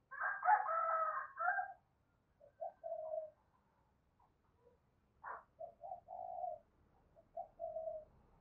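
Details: Spotted dove from Đồng Nai giving calling and urging coos used to stir up doves: a loud, rough, breathy burst opens, then soft low hollow coos repeat irregularly with short pauses in a quiet setting.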